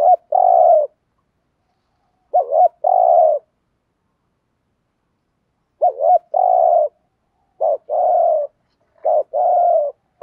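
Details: Decoy spotted dove performing 'thúc gù' luring coos: groups of a quick double note and a longer rough coo, repeated irregularly over about ten seconds.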